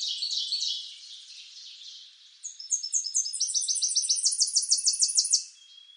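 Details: Tennessee warbler song: after a fading end of earlier notes, a series of sharp, high, staccato chips begins and speeds up into a fast, even run of ringing notes before stopping abruptly. The background is quiet.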